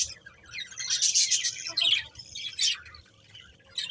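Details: Several colourful budgies giving a few bursts of bright, buzzy chirps and warbled notes, separated by quieter gaps.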